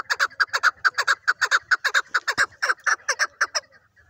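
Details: Chukar partridge, described as a hunting chukar, giving a fast series of harsh chuk notes, a little over two per second, sustained with steady loudness for nearly four seconds before stopping.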